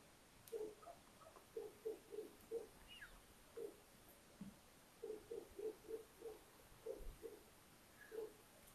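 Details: Little owls at an attic nest in a house at Tiszalök, Hungary, near Hortobágy National Park, in early May 2022, after two more eggs hatched to give four owlets; short soft low notes in clustered bursts, with a quiet indoor hiss behind.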